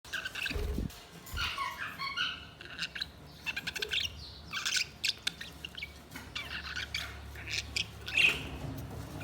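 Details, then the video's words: Budgerigars chirping in a busy chatter of short high notes and warbles, with a few low thumps early on and a steady faint hum underneath. "Budgies Sounds| Budgies Chirping sound"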